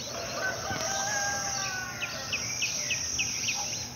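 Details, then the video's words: A lined seedeater sings on a riverbank, giving a quick run of high, bright chirped notes, about three per second, over steady rushing water, with a rooster crowing faintly in the background. "Bigodinho cantando"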